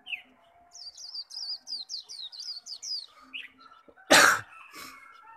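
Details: Caged Japanese white-eye in intense contest singing of the 'khuyên líu' style, meant to call wild birds: a run of about ten quick, high, slurred whistled notes, then a brief lower note and a loud cough-like burst, with talking afterwards.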